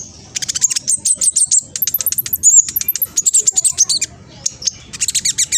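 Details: Spotted young black sunbird (king konin) from East Java, Indonesia, singing rapidly to trigger replies from other birds: long strings of very high, evenly spaced sharp ticks and squeaky trills in several runs.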